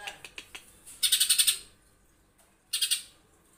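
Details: Green leafbird singing competition-style rough 'tembakan' shots. A few short ticking notes lead into a loud, grating burst of rapid pulses, then another shorter harsh volley after a quiet gap.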